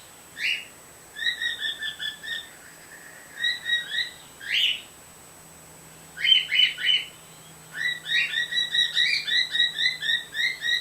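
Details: Pet white female bird, with a male nearby, heard through a screen door: scattered chirps building into rapid, rhythmic chains of bright notes, about four per second toward the end, with a faint low hum underneath.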